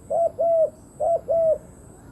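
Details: Two crisp paired coos from a decoy spotted dove luring wild doves: a short low note followed by a longer level one, the pair repeated once after a brief pause, over a quiet background.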